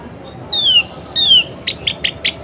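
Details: Breeding-condition female sooty-headed bulbul calling to stir males into song: two clean falling whistles, then four clipped bright chirps in quick succession.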